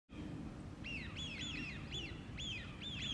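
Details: American wigeon in a park in the morning: a series of clear whistled notes, each rising then dropping in an arch, about six in three seconds, over steady low rumbling background noise.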